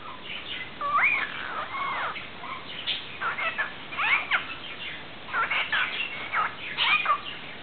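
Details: Pet parrot, which greets the household cat with "hola… dónde está mi niño chico" when it sees it, chatters at the cat in quick, warbling whistles with sweeping and twisting notes.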